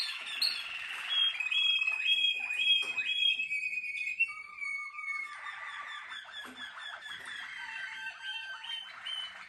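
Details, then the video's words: Malinois Waterslager canary, a bred singing canary, singing indoors: watery warbled trills and held whistled notes that step down in pitch, followed by softer bubbling rolls. "Malinois waterslager"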